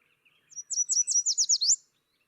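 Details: Yellow warbler (Setophaga petechia) song, a quick run of about nine high, sweet notes that speeds up slightly and ends in a downward slur, a bird found along the Finger Lakes Trail, NY.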